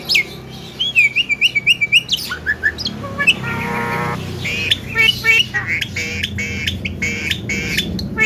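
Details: Young Javan myna in melodious full song: a rapid series of repeated high whistled notes, then a mixed stretch of buzzy squawks, harmonic tones and clipped chirps over steady background noise.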